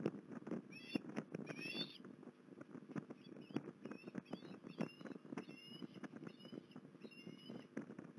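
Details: At Port Lincoln, 21 December 2020, an osprey utters a pair of sharp, rising whistled yelps around the second mark, followed by fainter repeated chirps, all over continuous crackling, pattering noise.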